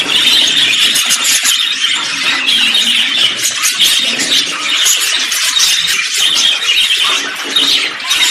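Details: A flock of budgerigars, in a mix of simple songs, contact calls and courtship songs, chatters in a steady, squeaky warble of bright overlapping chirps and scratchy trills with no pauses.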